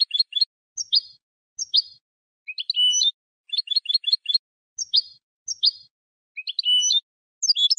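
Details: European goldfinch hybrid song for teaching young birds, heard as quick clusters of high chips alternating with short down-slurred whistles and brief buzzy notes, irregular and lively, no other noise.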